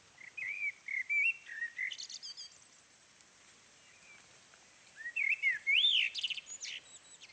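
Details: A Common Blackbird sings on a mild January winter morning: two unhurried phrases of mellow, fluting whistles, each ending in a thin, squeaky twitter, with a few seconds' pause between them.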